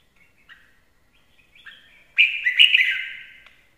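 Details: Red-whiskered bulbul song: soft warbled notes lead into a loud, bright phrase of quick rich whistles and slurred trills, trailing off into a fading ringing tail.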